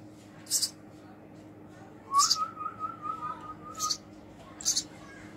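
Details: Hand-fed baby house sparrow giving sharp high chirps spaced about a second apart, with a wavering human-like whistle running between them.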